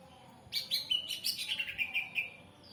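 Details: Lure song of a greater green leafbird, meant to draw a reply from other birds: a quick tumble of high, clear chirps and twittered notes, loud and rapid, settling into short repeated whistles.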